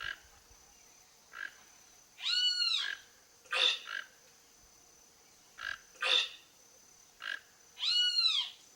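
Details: A wild toco toucan visiting a rural backyard in Brazil in search of food gives hoarse, croaking calls, some short and some drawn out, every second or two, over a steady high insect whine.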